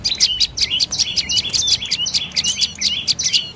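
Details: A dark-necked tailorbird repeats loud, high, slurred chip notes about four times a second, each note bending sharply, in a short energetic bout.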